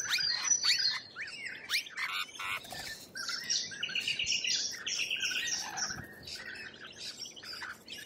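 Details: Lorikeets in Australian wildlife: a busy stream of piercing squeals, sharp rising and falling shrieks and buzzy rattles, overlapping and nearly continuous, softening slightly in the last seconds.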